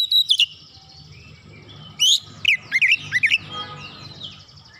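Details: Oriental magpie-robin (kacer) in energetic, full song, used as a lure to set other birds singing: a high whistle, then after a pause a run of fast, sweeping whistled notes bending up and down, with low hum beneath.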